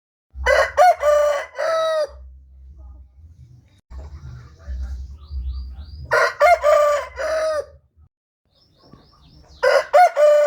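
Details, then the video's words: Rooster crowing, loud harmonic cock-a-doodle-doo phrases of several stuttered notes ending in a long held note, two crows with a third starting, between them low rumbling background noise and faint chatter. "Chicken crowing sound effects compilation"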